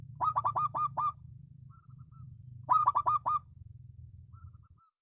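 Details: Zebra dove of the perkutut lokal type, valued for its special voice, repeats phrases of five quick, full coo notes about two and a half seconds apart over a continuous low rumble, with faint high whistles.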